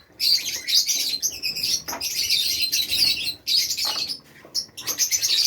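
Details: Ornamental Fischer's lovebirds with nests in Safi, Morocco, produce a busy stream of shrill chirps and squeals in repeated waves, with short gaps and light wing noise.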